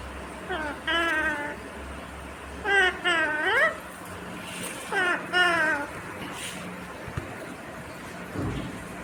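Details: Talking ringneck green parrot indoors, giving three bursts of speech-like, strongly harmonic chatter with rising and falling warbled syllables, each about a second long and spaced roughly two seconds apart, over a low steady hum.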